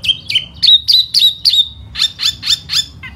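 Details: In spring, a displaying laughingthrush sings with its feathers fanned, delivering a rapid, steady series of clear whistled notes, each dropping then levelling, roughly four per second, strong and unbroken.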